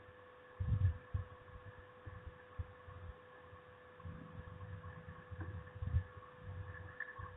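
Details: Low thumps and rumbling bursts over a steady electrical hum near a nest camera, with no bird call heard.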